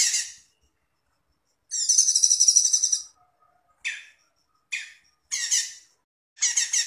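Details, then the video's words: Cucak cungkok singing on a songbird training master recording: a long buzzy trilled phrase of rapid notes, then a series of short scratchy chirps spaced roughly half a second apart against a quiet background. "MASTERAN CUCAK CUNGKOK"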